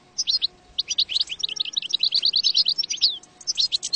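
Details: European goldfinch song played as a trapping lure: rapid, sparkling chatter of high, clipped notes running together into a dense twittering phrase, with a short break before a final burst.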